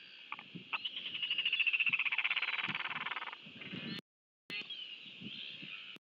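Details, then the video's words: Royal albatross at a nest in New Zealand during a chick feeding, filmed by a nest camera on 23 January 2023: a fast run of pulsed, harmonic calls that swells and fades over about three seconds, then a short break and softer background sound. "Royal Albatross -Albatros królewski (NZ) - L & SP, karmienie maluszka"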